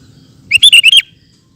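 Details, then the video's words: A short ropel phrase from a sooty-headed bulbul: four loud, rich, quickly repeated whistled notes rising and falling slightly, delivered in under half a second. "Burung Kutilang Ropel Super Gacor"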